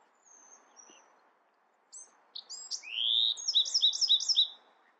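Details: Singing Bewick's wren: scattered high chips and a rising slurred note lead into a rhythmic series of paired, two-toned phrases repeated about five times.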